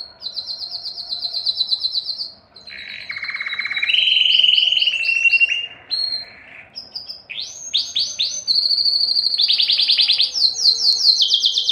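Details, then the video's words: Singing canary, song meant to excite females for breeding: a varied string of rapid trills, some high and thin, some lower and rolling, a smooth sustained tour mid-song, switching tours every second or two. "تغريد كناري للتسميع و تحفيز الانات للتزاوج 10- Canário cantando para atrair fêmeas para a reprodução"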